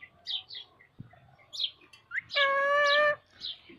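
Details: Talking parrot: scattered short high chirps and squeaks, then a loud sustained, rich, slightly wavering voice-like tone lasting under a second, followed by a few more soft chirps.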